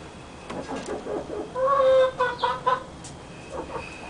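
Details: Barred hen cackling while laying an egg, a strained, nasal, drawn-out cry followed by short broken clucks, over a noisy background.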